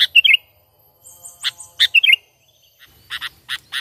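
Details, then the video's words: Sooty-headed bulbul giving its natural lure call, used to attract birds for trapping and free of mimicked phrases: short bubbly, warbled chirp phrases in bursts, a cluster at the start, another around two seconds, then rapid clipped notes near the end. "Pikat Burung Kutilang ISTIMEWA Full Gacor,Panggilan Alami Tanpa Isian"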